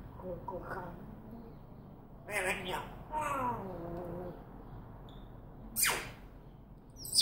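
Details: Talking African grey parrot: a run of speech-like syllables with wavering harmonics, a pause, more mimicked words, then a single sharp high whistle sweeping down near the end.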